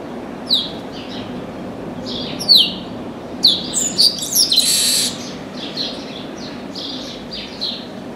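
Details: Chestnut-capped blackbird that suddenly landed in an orange tree and put on a show: sharp falling whistles repeated roughly every second, building to a dense buzzy chatter mid-clip, then softer trailing notes.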